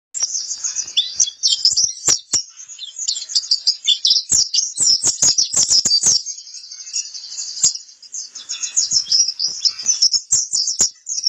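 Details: Pleci kapur white-eye, kept for song training: a continuous, dense, very high twittering warble of rapid chirps and trills running the full length, with sharp clicking ticks scattered through it.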